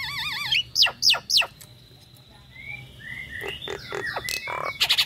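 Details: Female Nias hill myna calling to the male while in breeding condition, giving wavering whistles, then three loud rising-falling whistles, thin drawn-out tones, and closing clipped notes.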